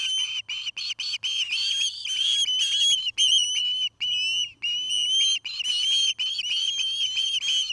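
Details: At a Charlo, Montana nest built by an osprey pair, a dense run of shrill whistled chirps, many short notes with upslurred tails, repeated rapidly with only brief pauses.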